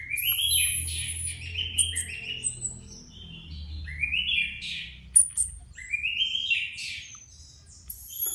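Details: Orange-headed Thrushes kept in cages, four birds just out of moult, grouped briefly to assess contest readiness; loud, fast run of rising whistled phrases repeated in quick succession, with high thin whistles and a low background hum.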